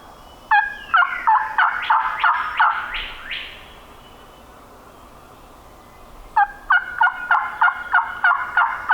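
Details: Wild turkey gobbler on public land in Minnesota hill country at dawn, possibly nervous after a companion was shot. Two bursts of rapid, rattling gobbling, each a quick run of pulsed notes, are separated by about three seconds of quiet.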